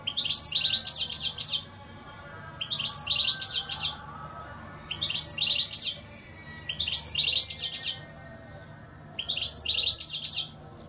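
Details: European goldfinch pouring out five liquid, tinkling twittered phrases of about a second each, separated by pauses of similar length.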